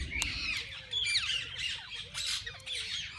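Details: Parakeets of several kinds in a walk-in aviary at a parrot zoo, where they can be fed and held: rapid harsh squawks and sharp chirps in quick bursts, densely overlapping, with a low murmur of people beneath.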